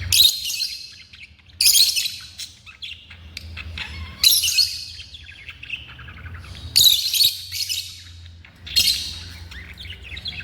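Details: Pet African lovebirds giving loud, shrill, harsh screeching calls in bursts about every two to two and a half seconds, with softer chatter between them and a low background hum.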